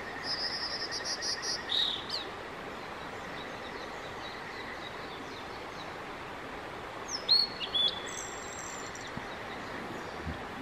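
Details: On 5 May 2022, a male blue-and-white flycatcher sang continuously for about 15 minutes, giving two high, bright phrases of trills and then slurred whistles dropping in pitch, about five seconds apart, over a steady rushing background like running water.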